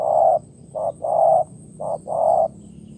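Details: Wild spotted dove in Vietnam, jumping out of the grass and cooing during trapping with a decoy bird: low hollow coos in a short-long, short-long-long rhythm, five notes in three seconds, against quiet surroundings.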